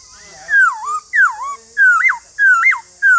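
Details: White-cheeked laughingthrush singing loud, clear whistled phrases, each a falling then rising slur, repeated about every half second in an even rhythm against a constant high-pitched hiss.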